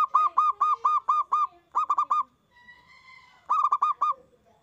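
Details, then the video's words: Zebra dove lure singing meant to draw replies from other doves. A fast series of about eight loud staccato coos is followed by a quicker triplet. After a faint softer murmur, another rapid rolling burst follows. "Perkutut gacor suara besar bikin ON nyaut buka paruh"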